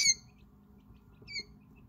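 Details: Quail chicks about five hours old, exploring a brooder, with one chick especially vocal, give two thin, high peeps, each slightly falling and about a second apart, against a faint low background hum.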